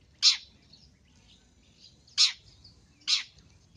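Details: Long-tailed shrike call used for luring, three loud grating harsh notes spaced irregularly, with soft high twittering faintly in between and low hum beneath.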